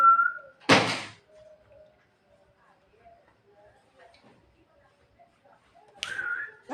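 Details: Javan myna singing at night, calling to its mate: a short level whistle, a harsh broadband burst, then a long quiet gap before another whistle with rasping notes at the end.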